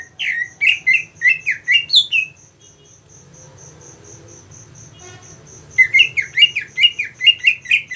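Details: Cucak ijo (green leafbird) readied for songbird competition, repeating bright slurred whistles in quick series, a pause filled by a steady high pulsed tick, then another fast run of rising-falling notes.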